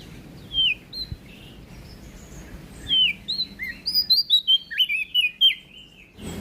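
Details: Prinia from NTB: a few spaced, soft whistled notes at first, then a lively series of about a dozen rapid, slurred high chirps.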